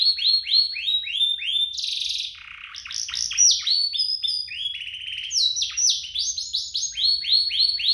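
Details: Domestic canary song used as a prompt for canaries to sing; repeated falling notes, a harsh buzzy burst, varied chattering phrases and more rhythmic downward sweeps.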